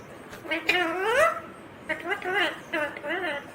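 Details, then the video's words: Indian ringneck green parrot talking, a drawn-out rising phrase followed by several quicker arched syllables, all with clear voice-like harmonics over a quiet background. "Natural Sound of Talking Ringneck green parrot"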